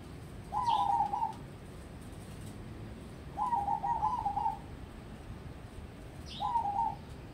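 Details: Crossbred zebra dove prepared for contests sings three trilled, stammering coo phrases, each near a second long, with faint high chirps overlapping the first and last.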